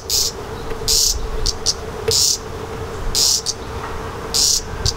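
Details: A redstart fledgling, fed by its parents, gives high, hissy begging calls in short bursts, about one every second or so, over a steady low hum.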